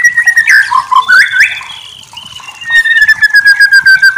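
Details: White-rumped shama tutor recording: rich slurred whistles and rising chirps, a quieter gap, then a long sustained whistled note gently falling in pitch over a steady pulsing background of faint chatter.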